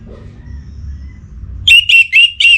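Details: Caged orange-headed thrush in breeding condition, calling a rival. Low background hum comes first, then four loud, even, whistled notes about a quarter second apart, each slightly slurred downward.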